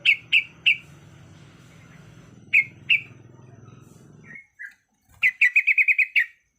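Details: Yellow-vented bulbul, a female in breeding condition calling to males: separate bright chirps, then a fast run of about eight clipped, even notes near the end, over a low hum that cuts out midway.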